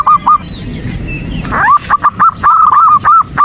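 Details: Zebra dove female calling the male to provoke him: scattered short notes, a brief rising scrape, then a quickening run of clear level notes.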